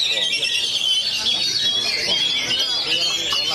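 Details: A caged Oriental magpie-robin (Kacer Jaguar) sings open-beaked at a bird song contest in Purbalingga, Indonesia. It pours out a rapid, unbroken stream of high whistles and trills, with other birds singing alongside and a low murmur of people behind.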